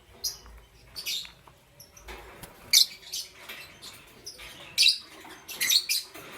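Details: Lovebirds, parblue euwing green opaline and green opaline mutations, chirping in the morning: shrill, scratchy high chirps repeated irregularly every second or so throughout, some doubled, over quiet background.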